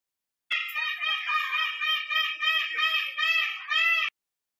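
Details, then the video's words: An Indian peafowl (peacock) gives a loud, nasal, wailing call lasting about three and a half seconds, pulsing in quick waves several times a second; nothing else is heard. "peacock sound"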